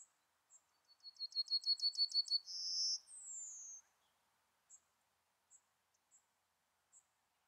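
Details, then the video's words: Yellowhammer singing a quick run of about ten sharp, high repeated notes, followed by a drawn-out buzzy note and a final slurred descending whistle, then scattered faint high chips. "Yellowhammer song / Emberiza citrinella"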